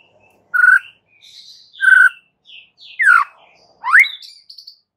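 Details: White-rumped shama singing to provoke rivals: four separate loud phrases about a second apart, steady whistles then sweeping slurred notes, with faint high accents.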